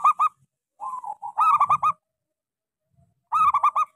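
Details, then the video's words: Actively singing local zebra dove with a small voice, used to coax quiet doves into song: short, punchy double coos, a softer trill of low notes, then a rapid, rolling coo burst, repeated. "Suara pancingan Perkutut lokal gacor suara kecil"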